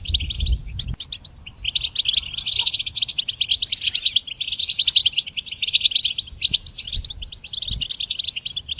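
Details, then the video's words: Goldfinch song for songbird training, opening with a few chirps over a low thump, then a sustained stream of rapid, high twittering and trilled notes. "Harmonious Connection Motivation in Goldfinch Song Training"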